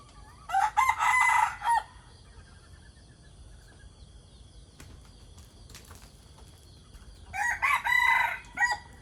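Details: Morning scene of chickens, a decoy rooster among them: two drawn-out, strained crows roughly seven seconds apart, each with a rough, layered tone, separated by quiet stretches with faint background chirps.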